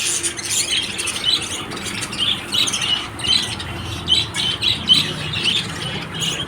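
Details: Lovebirds calling: high, sharp chirps repeated roughly twice a second, mixed with scratchy squawks over a constant low hiss.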